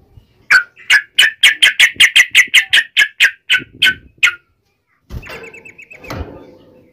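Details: Yellow-vented bulbul in full voice, giving a fighting song in the uplik ropel style, meant to provoke other birds to answer: about fifteen rapid, even chirps, then a pause and a burst of clattering mechanical noise.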